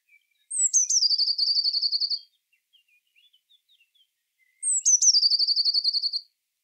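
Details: Eurasian blue tit (Cyanistes caeruleus), song.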